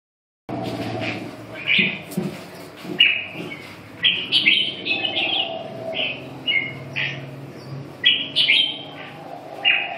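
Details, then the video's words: Red-whiskered bulbul singing loudly and close: bright whistled phrases, some rising, some falling, delivered in bursts every second or so with short gaps, over a faint low hum. "Kênh về chim Chào mào"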